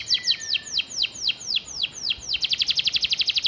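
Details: Master-vocal canary singing sparrow-style filling: a slow run of high downward-sweeping notes about four per second, then an abrupt switch to a quick, even, chattering trill.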